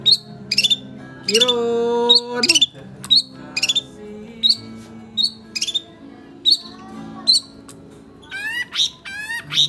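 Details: Oriental magpie-robin singing non-stop: sharp high chirps repeated about every half second, interrupted by longer warbled phrases and ending in rapid rising sweeps, with soft background music underneath.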